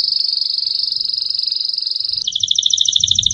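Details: Gloster canary, a domestic canary breed, recorded in 2018, holds a high steady trilled note for about two seconds, then switches to a faster rolling trill of doubled notes. A faint low hum sits underneath.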